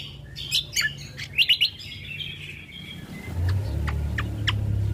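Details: Ruby-throated bulbul recorded as a lure and tutor sound: quick chirped and whistled phrases, then a rumbling vehicle passes beneath a few faint clicks.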